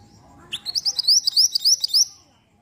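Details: Lure song of a mantenan bird meant to make another bird answer: after a short rising note comes a quick series of about ten sharp, high, upslurred whistles in a steady rhythm over a low hum.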